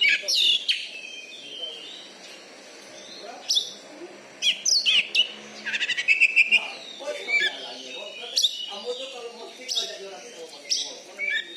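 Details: Oriental magpie-robin (kacer), a caged champion bird from Bengkulu with a loud voice and special fighting style, singing a varied run of sharp whistles, rapid trills and chirps in quick bursts.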